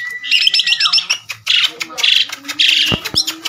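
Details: Tame Asian pied starling singing on the hand outdoors: a steady whistle breaking into rapid warbled trills, followed by loud harsh squawking bursts roughly every half second with sharp clicking notes.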